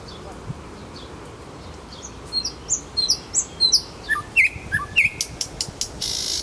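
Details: Nightingale song in Kuzminki forest park: near-silence at first, then a quick varied series of high chirps and liquid notes, a couple of looping whistles, and a buzzing rattle at the end.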